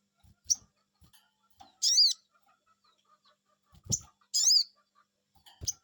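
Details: Two loud arched "cuiit" calls from a sogon bird reacting to a lure call, roughly two and a half seconds apart, with short high chips, dull knocks and a faint steady hum.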